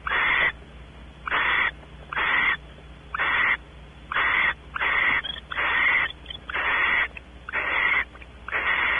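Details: Nest-cavity recording of barn owls at Audubon Starr Ranch, California: male exploring inside, female expecting mating. Steady run of about nine harsh, wheezy hisses, roughly one per second, with brief gaps and a quiet background hum.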